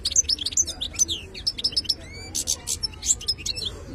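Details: European goldfinch, called khalawi as a wild-caught bird, delivering bright high chirps in quick groups, a few clear rising whistles and buzzy bursts, over faint background hum.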